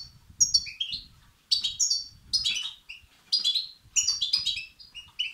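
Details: European goldfinch chicks begging, played to stimulate and excite males; bursts of high, scratchy, twittering chirps in clusters about once a second, with faint low rumbling beneath.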